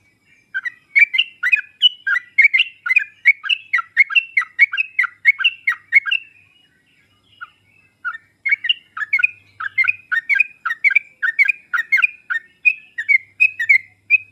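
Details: Master song of the sooty-headed bulbul used to provoke a silent bird into answering. Continuous bubbly, chattering phrases of quick rising and falling notes, pausing briefly midway and then resuming.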